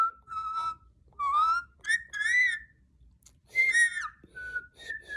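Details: Pet parrot, molting around the mouth and described as very hormonal, whistling "Twinkle Twinkle" indoors: clear tonal whistled notes, some rising and some level, in short phrases separated by brief pauses.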